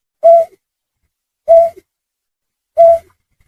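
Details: Snipe lure call: three mellow, owl-like hoots, each brief and level in pitch, given at intervals of about 1.3 seconds with silence between.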